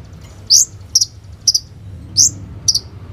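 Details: Olive-backed sunbird, a kept songbird singing as a lure to draw other sunbirds into song, recorded on a phone: five short, very high, sharp chirps spaced irregularly over three seconds, with a faint low hum beneath.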